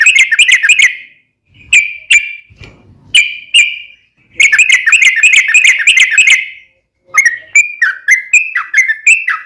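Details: Yellow-vented bulbul singing gacor-style, a daily training song for cage birds: chattering bursts separated by pauses, a long rapid bubbling passage, then a run of separate whistled notes that dip and rise.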